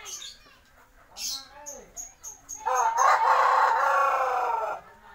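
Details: Purebred Bangkok (Siamese) rooster giving one long, hoarse crow that holds steady for nearly two seconds before cutting off, preceded by soft clucks and a few thin high chirps.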